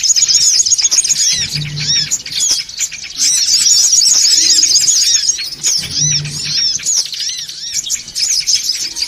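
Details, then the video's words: Songon birds in a loud, busy chatter for luring, many high twittering notes and quick arched squeaks tumbling over one another, swelling and easing in waves, with a faint low hum. "SUARA PIKAT SONGON OTONG (RIBUT)"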